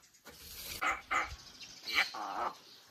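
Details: Kept crested myna talking nonsense in a human-like voice: a few short speech-like syllables in clipped bursts, with brief pauses between words and a louder, drawn-out final phrase.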